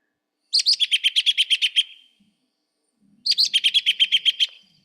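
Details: An American Robin in Maine in spring gives two whinny calls, an alarm or social call between robins, each a rapid run of about a dozen high, sharp, slightly descending notes, like a tiny horse's whinny.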